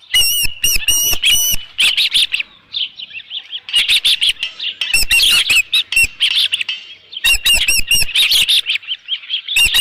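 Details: Osprey at a nest where a headless fish was brought, 27 June 2018 around 12:48 PM; loud clusters of shrill chirps alternate with quieter, softer whistled piping between bursts.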